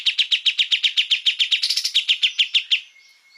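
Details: Kapas tembak singing an energetic training song for cage birds: a steady stream of harsh, rapid chattering notes at roughly five per second, then a brief thin whistle as it fades out.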